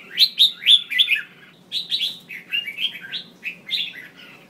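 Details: Red-whiskered bulbul female call meant to provoke males into singing: rapid runs of bright, slurred chirping notes, three or four per burst, a short gap, then further warbled phrases; low steady hum in the background.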